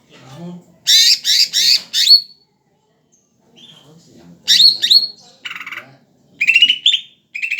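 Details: Greater green leafbird in full song: groups of loud, raspy, buzzy bursts alternating with clear whistled notes and short rising slurs, separated by brief silent gaps.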